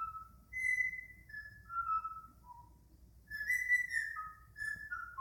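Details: A male pet Indian ringneck (rose-ringed) parakeet, in a chattering rather than talking mood, gives clear whistled notes that step downward, pauses, then repeats a similar whistled phrase; the room is otherwise quiet.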